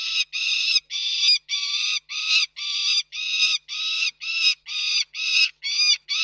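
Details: Peregrine falcons at Reda, Poland, 29 June 2024: a fast run of about twelve harsh, grating calls, each roughly half a second long with brief gaps between them, steady and loud with no other sounds.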